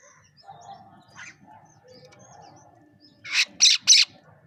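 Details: Bank myna feeding alongside pigeons; soft low chatter and faint calls, then three loud, harsh, broadband squawks in quick succession near the end.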